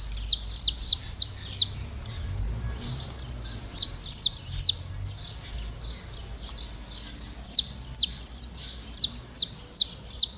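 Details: Brazilian saffron finch song, a long sequence of piercing high downslurred notes, first clustered in a quick burst, then spaced at roughly half-second intervals, with a short pause partway through.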